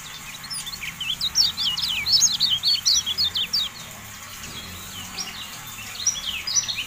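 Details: Javan white-eye (kecial kuning) in tutor audio for caged birds: a lively stretch of quick, high, twisting chirps, then a quieter pause, then the twittering picks up again.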